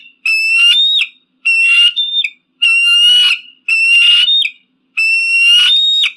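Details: Repeated eagle screams, five shrill, strained cries of roughly a second each, piercing and harmonically rich, some ending in a rising squeal, evenly spaced with brief quiet gaps between them.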